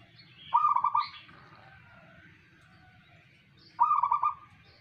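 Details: Two bubbling, pulsed coo phrases from a singing local zebra dove, about three seconds apart, with faint higher chirps from other birds and a low hum behind.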